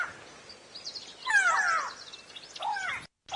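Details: Go-away birds mobbing an owl hidden in cover at sunrise in the Sabi Sand, South Africa, in November, giving harsh, nasal, downslurred "go-away" calls in a short burst, with a loud squall midway.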